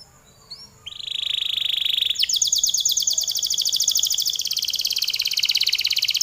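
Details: Canary in full long song, described as gacor: a sustained high whistled tone gives way to a fast rolling trill of rapid repeated notes, roughly three to four per second, continuing steadily to the end.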